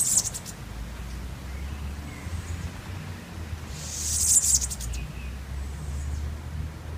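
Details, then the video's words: A small yellow bird in a tree on Curaçao, 2016, gives very high, thin, buzzy trills in two short bursts, at the start and near four seconds, over a steady low rumble of wind or traffic. "Yellow Bird Singing in a Tree"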